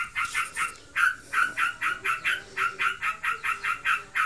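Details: Pet sooty-headed bulbul in breeding condition, giving rough, buzzy chattering notes in quick groups that settle into a regular series of roughly four calls a second, in the ngebren style.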